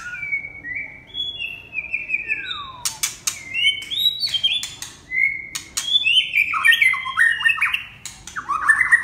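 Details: Red-whiskered bulbul singing: a long sliding whistle dropping from about mid pitch, then bursts of quick, bright warbled notes leaping up and down, mixed with sharp clicking taps.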